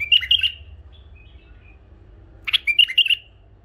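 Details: Pet bulbuls, one male with two females, give two quick phrases of rich, warbling whistled notes, each under a second long, with a quiet gap between them.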